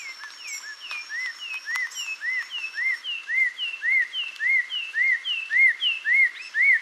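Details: Carmiol's tanager song made of arched whistled notes repeated steadily about twice a second, growing louder, with a thinner higher series woven above them and a few sharp clicks early on.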